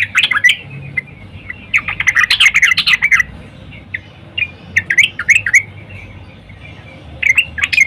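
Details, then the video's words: Female sooty-headed bulbul calling to a male in the morning, used to lure males: bursts of bubbly, chattering mid-pitched notes with sharp high clicks, separated by short pauses. "Trucuk Betina Memanggil Jantan PAGI HARI"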